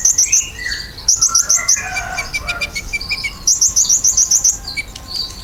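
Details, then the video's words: Ruby-cheeked sunbird in full song, played to draw answers from pet birds. Fast rattling bursts of very high ticks alternate with descending twittered phrases and scratchy chatter. "KOLIBRI GACOR! PANCINGAN KOLIBRI NINJA BIKIN KONIN ANDA CEPAT NYAUT"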